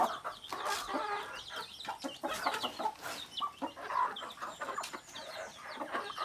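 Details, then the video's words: A flock of native chickens, roosters and hens, clucking in short uneven bursts, some notes drawn out and nasal, with thin chirps from small birds overhead. "Rooster, Hen and Other Native Chickens."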